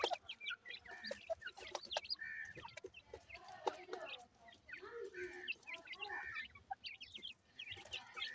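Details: Chicks of the grey francolin, or teetar, twitter continuously: soft, high, wavering peeps from many birds overlap, broken by brief clicks and some lower murmuring clucks.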